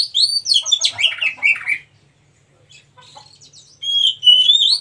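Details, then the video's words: Wild Oriental magpie-robin (kacer) singing: a dense burst of rapid, varied chirps and slurred whistles for almost two seconds, a near-silent pause, then a sustained high whistled phrase with trills. "KACER MACET TOTAL dan SETRES pasti akan PULIH dan NYAUT dengan dimasteri KACER ALAM ini"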